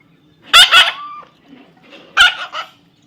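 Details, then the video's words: Parrot chick producing a double raspy squawk, then a thin trailing whistle, and after a pause another pair of harsh notes. "natural funny parrot sound"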